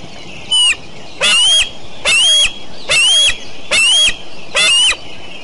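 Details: Decorah eagles on a June 2012 morning give a brief note, then five evenly spaced, loud rasping screams with a whistled tone, about 0.85 seconds apart, over steady background noise.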